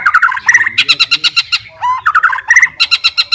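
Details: White-rumped shama, a fighter-type bird singing to challenge rivals, delivering rapid pulsed chattering notes in quick repeated bursts, with a short descending whistle in the middle.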